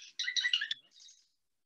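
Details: Golden-crowned kinglet, a very small bird, sings its high, thin song: a quick jumbled burst of sharp, tinkling notes, then a fainter, very high trill trailing off.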